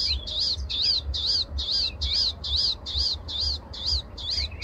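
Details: Morning song of a Palestine sunbird: sharp, high arched chirps repeated evenly about twice a second, with a faint low hum throughout.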